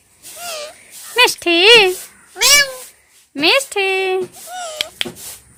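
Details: Talking pet parrots give a rapid string of high nasal word-like sounds, some sweeping sharply upward, others held and level, about six phrases in quick succession indoors.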